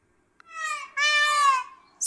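A peacock gives a loud, nasal two-part scream, a brief rising wail then a longer sustained cry, followed by a short sharp click.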